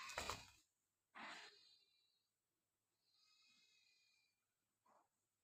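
An Indian ringneck parrot gives a harsh burst, then a raspy call, a drawn-out buzzy screech and one short chirp, all in a quiet room.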